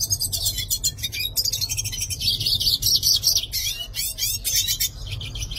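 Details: Singing yellow-faced siskin delivering an unbroken, high, buzzy twitter with wheezy drawn-out notes in the middle, mixed with squeaky chirps and a rough rhythmic rasping noise throughout.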